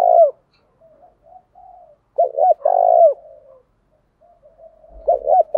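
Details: A decoy spotted dove, kept to lure wild doves into answering, switches its coo pattern continuously. A short bright coo opens, then two clipped notes and a long throaty coo near three seconds, more notes at the end, and soft murmured coos in the gaps.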